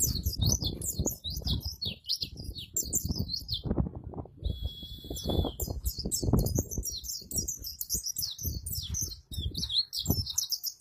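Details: White-eye (pleci) song in the ngalas and ngerol styles, used as a master recording for training caged birds; dense high twittering and rolling trills with rapid warbled phrases, over a steady low rumbling background.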